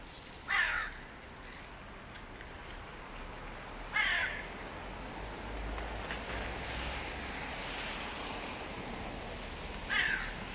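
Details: Female hooded crow, mate of the dominant crow, demanding an attack on a young crow: three harsh, hoarse caws spaced several seconds apart over a steady broad background roar like distant traffic.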